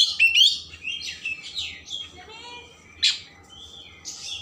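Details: Oriental magpie-robin singing a varied phrase sequence meant to stimulate emotion and tail opening: fast high twitter, soft slurred whistles, a sharp burst near the end, with a low hum beneath.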